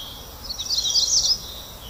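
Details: Bird song: a rapid high twittering warble lasting about a second over a steady background hiss.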